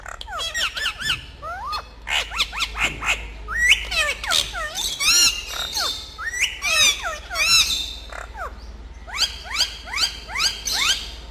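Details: Several talking parrots squawk and chirp almost nonstop, harsh ragged bursts mixed with swooping whistled notes in quick irregular runs.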